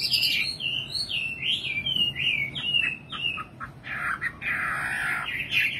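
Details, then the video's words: Series of about eight clear descending whistled notes from a singing nightingale, followed by rougher, buzzy, broader phrases. "Singing nightingale. amazing bird song"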